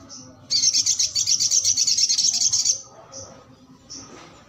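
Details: Little spiderhunter (Arachnothera longirostra) sings a fast, even run of about twenty high, sharp notes lasting two seconds, followed by a few scattered single chips.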